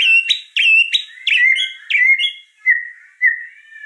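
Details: White-rumped shama in lively gacor song: loud clear whistled phrases, several sharp upward-sweeping notes followed by lower sliding whistles, delivered in a fast run and slowing toward the end; clean with no background sounds.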